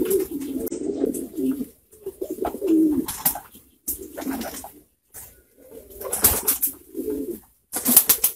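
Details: Low, rolling coos come from a group of pouter pigeons in several separate bouts, with short silences and clicking sounds between them.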